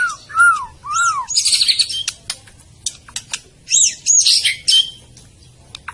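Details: White-rumped shama (murai batu) from Medan giving clear arched whistles, then buzzy high trills and sharp notes in spaced bursts separated by brief silences.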